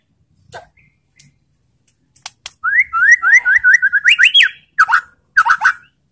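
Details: White-rumped shama provocation song to make rival shamas reply: a few faint clicks, then a fast series of short rising whistles climbing in pitch, followed by sharp, scratchy double notes.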